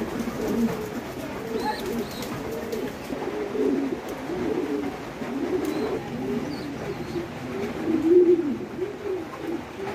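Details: A flock of domestic fancy pigeons at a Bangladeshi pigeon farm, continuous deep gurgling coos from many birds, swelling and fading, one louder bubbling coo near the end.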